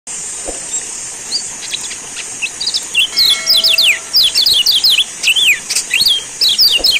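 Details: Lombok yellow white-eye (kecial kuning) in a lure recording gives a rapid, high, twittering song of quick sweeping chirps, starting after a few seconds, over a constant high insect-like hiss and a faint hum.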